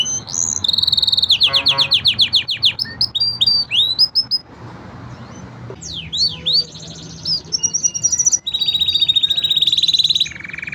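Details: Training song by five canaries: a fast descending rolling trill, scattered high chirps, looping slurred whistles, then a long rapid high-pitched trill near the end.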